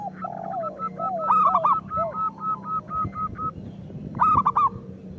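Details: A local zebra dove recording used as a lure for lazy singers: a quick series of level coos with loud, clipped, ringing notes at its center and again near the end, over a steady low hum.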